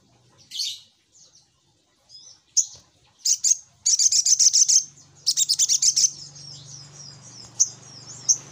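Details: Little spiderhunter lure call: scattered high chips, then bursts of rapid sharp chattering notes, followed by thinner high calls over a faint low hum.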